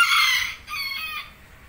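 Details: Male bantam rooster, first-generation offspring, kept at a workshop in Bandung, Indonesia, gives a single high, harsh crow lasting about a second, strained and bright at the start, then trailing off into faint background noise.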